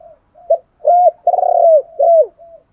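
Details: Spotted dove decoy voice for training wild-caught birds: a run of short mellow notes, then three drawn-out coos, the last falling in pitch, ending with a soft trailing note.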